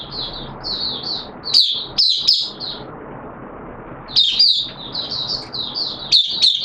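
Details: Oriental white-eye, a caged hobby bird in wet weather, singing a 'buka sing' opening song: strings of high, slurred warbling notes, a sharp chip or two, a quiet gap, then more thin chattering phrases.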